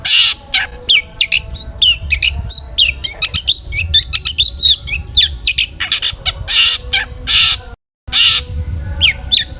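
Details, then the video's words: Long-tailed shrike in a full, vigorous song meant to provoke rival shrikes to sing: a dense, nearly continuous stream of rapid chirps, whistles and harsh squawky notes, with one brief break. "burung cendet gacor FULL ISIAN buat PANCINGAN CENDET AGAR BUNYI!! jadikan BURUNG PENTET GACOR EMOSI"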